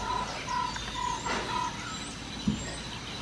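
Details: Chestnut-backed Owlet in Sri Lanka, 22 December 2015, gives four even, mellow whistled notes on one pitch, about two per second, over a steady background hiss, then a single soft knock.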